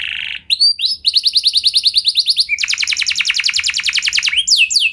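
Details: Canary lure song used to prompt other canaries into long rolling singing: a buzzy opening note, then sustained high trills and a fast run of evenly pulsed notes, ending in quick sweeping phrases.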